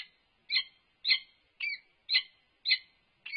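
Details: Nest-camera recording from UC Berkeley, 3 November 2021: an unknown male peregrine falcon atop the nest box interacting with the resident female. Six strident, grating calls fall at a steady pace, about every half second.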